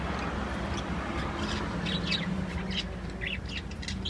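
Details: Lovebirds in a cage giving scattered, irregular high chirps and short squawky notes, several overlapping, over a steady low hum.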